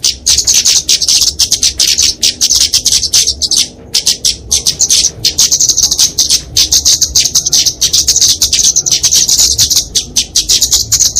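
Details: Fighting song of a flowerpecker (kemade), used to train and lure small birds: almost continuous, very high, rapid ticking and twittering with scattered sharp clicks and only brief pauses.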